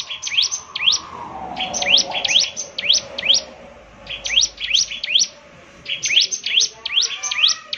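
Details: Bar-winged prinia giving repeated bursts of thin, high V-shaped notes, roughly two to three per second, grouped into phrases separated by short gaps, with a faint low hum underneath.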